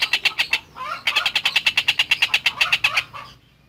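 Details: Masteran recording of a long-tailed shrike (tengkek buto) in full song: quick grating notes, a brief lower chattering phrase, then a steady run of harsh notes about three per second that fades out near the end.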